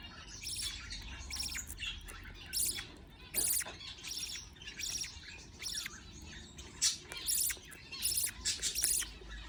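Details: Parent budgie feeding chicks; the young produce thin, buzzy, high chirps in quick bursts, some single and some doubled, growing busier toward the end, over a low background hum.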